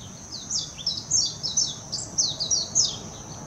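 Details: Warbling white-eye singing at Hashimoto, Wakayama, Japan, on 26 June 2021: a rapid, high-pitched jumble of thin twittering notes in quick bursts, with faint low background hum.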